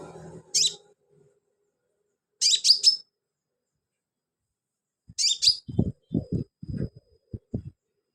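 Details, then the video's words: Sunbird singing actively, used as filler song for training birds: three short bursts of high, buzzy chirps, followed by a series of low knocking thumps. "BURUNG KOLIBRI/CONIN GACOR buat isian"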